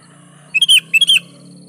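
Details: Gacor singing from a sooty-headed bulbul, used to prompt other bulbuls to respond: two bubbly whistled bursts, short clipped notes followed by a longer bright slur, with a low background hum.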